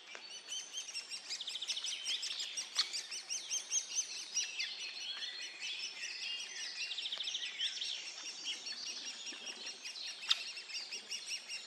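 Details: Great spotted woodpecker at feeding time for its young, Region Hannover, Germany, June 2022: a dense, continuous high chatter of overlapping squeaky, twittering notes, with a few sharper clicks rising above the stream.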